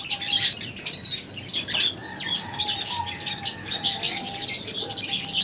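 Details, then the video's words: Lovebirds chirping together: a dense, overlapping chatter of sharp high chirps and squeaky notes from several birds, with a faint thin whistle held lower underneath. "Love birds Singing sounds | Chirping Sounds"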